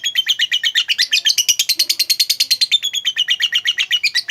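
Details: Lovebird, a pet bird, chattering as a lure for a quiet lovebird: dense rapid-fire harsh chirps delivered without a break, buzzy and slightly rising in the middle before settling.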